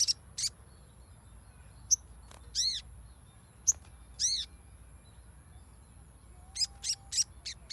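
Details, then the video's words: Sogon song used as lure audio to get a silent bird singing: sharp, high chirps and arched notes come in scattered bursts with quiet gaps, ending in a quick cluster of bright notes. "PANCINGAN SOGON MACET AGAR BUNYI"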